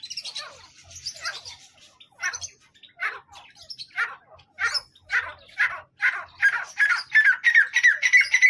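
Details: Grey francolin (teetar), male and female together: harsh, squawky notes repeated in bursts, growing louder and faster toward the end, with the last notes running into a rapid, ringing series. The background is otherwise quiet.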